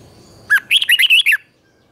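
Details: Single phrase of red-whiskered bulbul morning training song: a short upslurred note, then five quick bouncing whistled notes ending in a downslur.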